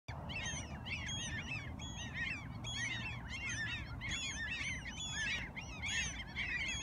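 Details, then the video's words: Gulls in Alaska calling from a flock, many overlapping sharp, downward-slurred cries repeated in bursts about once a second, over steady low wind or surf rumble. "Sea Gulls are no respecter of the weather!"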